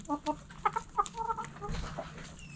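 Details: Backyard hens relaxing in the coop, clucking in quick paired and triple notes, then a run of soft repeated clucks, with low rumbling noise partway through.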